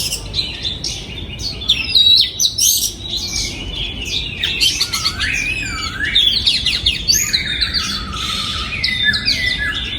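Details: Song of an oriental magpie-robin kept in a breeding aviary, recorded in 2022: rich, clear whistles and quick chirps weaving up and down, with a prominent lower swooping phrase midway, sung almost without a break.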